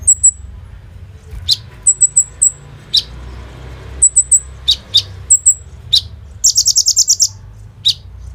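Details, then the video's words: Brown-throated sunbird song in Indonesia, filled with mimicked cicada and other bird phrases, used as a lure to train young birds to sing. Includes high thin chirps in twos and threes, sharp downslurred notes and one rapid buzzy trill near the end, over low hum. "SUARA BURUNG KOLIBRI NINJA GACOR FULL ISIAN BREN RAMBATAN AK-47 !! COCOK BUAT PANCINGAN KONIN BAHAN"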